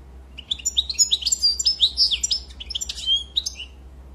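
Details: Continuous rapid twittering song of a European goldfinch, a tumbling run of high, liquid chirps and trills over a faint low hum.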